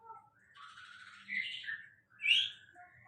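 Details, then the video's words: Sulingan Laut bird singing a short phrase: a buzzy warble that slides downward, then a loud, bright rising whistle, with a few soft chirps before and after. "Sulingan Laut Termahal ||Rolling Stone||"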